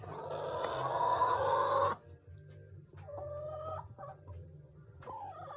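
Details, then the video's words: Hens from a backyard flock of thirteen on a small farm: a burst of loud raspy clucking for two seconds, followed by quieter scattered tonal clucks over a low hum. "Crazy chickens!"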